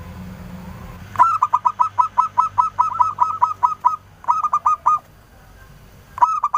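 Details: Local zebra dove from Indonesia singing a clear lure song meant to prompt answering birds: low hum, then a long even series of quick cooing notes, a shorter burst, and a final phrase starting.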